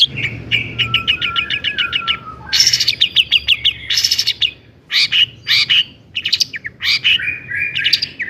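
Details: Lively long-tailed shrike song in the 'toet toet' style, played to rouse other shrikes: opens with a fast run of repeated ticking notes, then loud harsh chattering bursts mixed with short whistled phrases.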